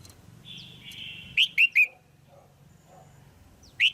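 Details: Female red-whiskered bulbul, a cage bird, calling to stimulate a male or for pairing: three loud, clear whistled notes in quick succession, each bending down, then one more note at the end. A steady, lower, drawn-out tone runs beforehand.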